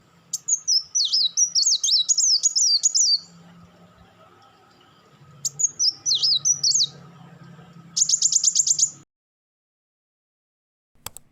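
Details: Van Hasselt's sunbird (kolibri wulung) giving crecetan chatter and rapid-fire tembakan bursts: high, quick, warbling zigzag notes in two phrases, then a dense burst of sharp repeated ticks near eight seconds, with a faint low hum behind.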